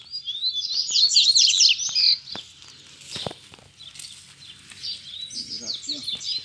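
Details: Rusty-collared seedeater song during a fight challenge with wild birds near a cage: a loud rapid twittering phrase, then knocks and wing noises, and a fainter warble later.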